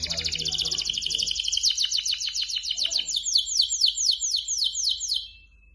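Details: Canary singing, offered as a lure to prompt other canaries to sing quickly: a fast, loud run of high, bright repeated notes, then a long series of clear descending whistled slurs, about four per second.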